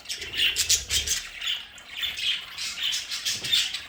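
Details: Several pet budgerigars in a home play area trade quick, scratchy high chirps and squeaky warbles in a steady back-and-forth, with a brief low rumble at the start.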